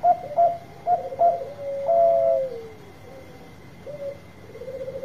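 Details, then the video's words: Big-voiced Bangkok zebra dove singing to encourage reluctant birds: clipped, quick cooing notes, a long bright coo, then softer low coos trailing off; a constant high hum runs throughout. "Suara Besar Perkutut Bangkok Gacor Obat Pancinga yang lagi Males Bunyi"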